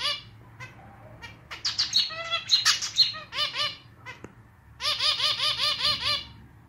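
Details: Captive male zebra finch in its clarinet style of song. Dense nasal, buzzy notes give way, after a short break, to a quick row of about eight matching honking notes repeated evenly.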